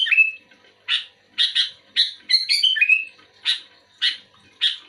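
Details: Sooty-headed bulbul called kutilang, actively responding to another bulbul. Opens with a falling whistled note, then spaced harsh chirps alternate with a short bubbly warble. Roughly one burst every half second to second.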